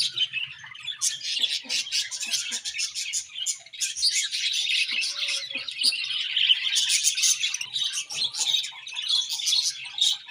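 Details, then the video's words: A lively morning chorus of pet budgies: fast, high, buzzy twittering and warbled phrases pour out continuously, several birds calling at once. "Beautiful Budgies Morning Chirping Sounds"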